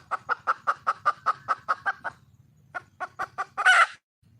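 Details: Wild red junglefowl hen calling for a male: a steady run of about eleven sharp clucks at an even pace, a short pause, then five more clucks ending in a loud, harsh squawk.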